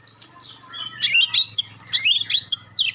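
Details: A magpie-robin gives its clear, sharp song meant to make other birds respond: a long level whistle, then quick rising and falling whistled notes in short clusters, over faint low hum.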